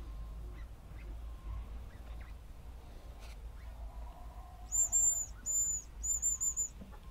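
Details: Hazel grouse heard in the second half, giving three sharp, very high-pitched whistled phrases, each thin and level, spaced about a second apart. Quiet, steady rumble and scattered faint bird notes fill the background.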